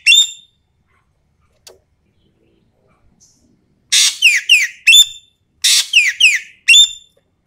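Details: Common green magpie from Sumatra in full 'tembakan' lure song: a single sharp whistle, then rapid runs of three or four buzzy, descending whistled strokes. The runs come in two bursts, with a final clipped note.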